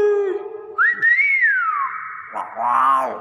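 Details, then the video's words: Common hill myna mimicking speech: a low hum, then a loud whistle rising and sliding down, ending in a raspy voice-like phrase, with music in the background. "Burung Beo 1 M Viral ngomong"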